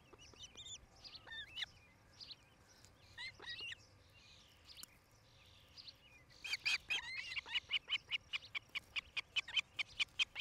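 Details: Nest cam recording, Charlo, Montana, 07-08-2018, evening hour: an osprey gives a few faint slurred whistles over a soft background hiss, then a steady, strong run of repeated high chirps, roughly two per second.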